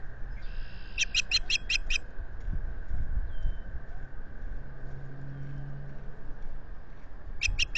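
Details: Osprey on its nest at Salt Point in the Finger Lakes region, spring 2022, heard through a solar nest camera: a run of five shrill chirps, quiet wind-filled seconds, then four more chirps closing out.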